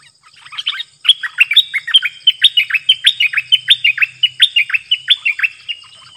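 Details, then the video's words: Stripe-throated bulbul in full song, April 2021, a caged bird answering wild birds thought to have young nearby; a fast, even series of about twenty sharp down-slurred chirps, roughly three per second, after a short opening phrase. "Burung merbah lekir gacor"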